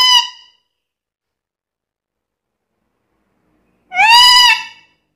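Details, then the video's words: Black-capped lory, described as chatty and able to talk, giving a nasal, voice-like call, then a second louder, slightly wavering one after a pause of about three and a half seconds. "BURUNG NURI KEPALA HITAM GACOR BISA NGOMONG SUPER CEREWET"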